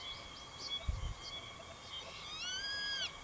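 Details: Grey-faced buzzard juvenile calling repeatedly at an adult perched nearby, which ends up driving it away. A single clear, pure whistle that rises then levels and drops comes after a brief thump, over a quiet background.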